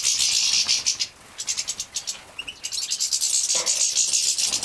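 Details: European goldfinch nestlings from a breeding setup in Poland, 2017, being fed: intense high rasping buzz, a short pause, then quick chirps and a renewed, pulsing, hissy chorus.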